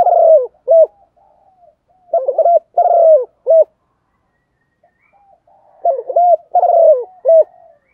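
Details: Female spotted dove, a decoy calling to excite males: low, mellow cooing phrases of several short notes, with a longer drawn note and a clipped final coo, given in three bursts separated by quiet gaps.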